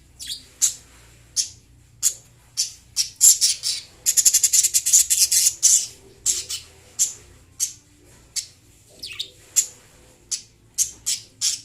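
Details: Lovebirds chirping and singing: a steady run of sharp, shrill, high chirps repeated about every half second, with a dense burst of rapid chirps near the middle, over a faint low hum.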